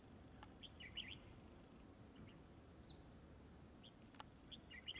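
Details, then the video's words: Red-whiskered bulbul near a decoy fighting trap: short chirpy, bubbling phrases at the start and again near the end, separated by quieter gaps, over a continuous low background drone. "Bẫy chào mào ĐẤU XOÈ MAU MỎ HỌNG BÒ SIÊU TO KHỔNG LỒ"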